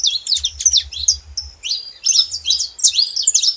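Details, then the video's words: Saffron finch producing dense, scratchy high chirps in quick clusters, with a brief gap midway, and a low buzzing hum underneath. "Canário da terra fazendo barulho"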